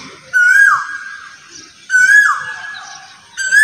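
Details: An Asian koel sings loud, ringing whistled notes at intervals of about one and a half seconds, each steady and then falling, the third cut off at the end.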